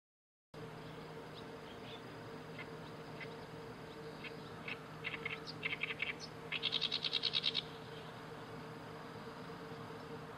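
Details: Oriental reed warbler singing on 31 May 2012: scattered harsh chattering notes build to a loud burst of rapid, grating repeated syllables around six to seven and a half seconds, then fade, over a steady low hum.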